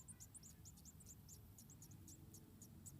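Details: Begging white-headed tit chicks in a nest of about four, fed one at a time by the mother in Indonesia: quick, high, slurred tseep notes tumbling several per second over a low background drone.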